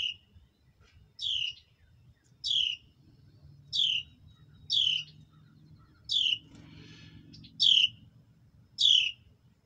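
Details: A mother bird feeding her hatchlings in the wild: seven sharp, high chirps, each dropping in pitch, repeated steadily every second or so, with a soft low hum underneath.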